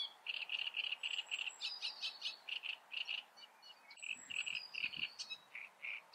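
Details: Great reed warbler singing: a loud run of harsh, grating, evenly repeated croaking notes with a few higher squeaky notes mixed in. A brief pause comes near the middle, then more chattering phrases follow.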